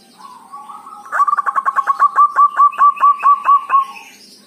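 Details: Local Javanese zebra dove giving dhuduk, the tut-tut-tut call of a bird still learning its song, used as a lure to provoke other doves to call: a soft rising note, then about fourteen rapid even low coo pulses.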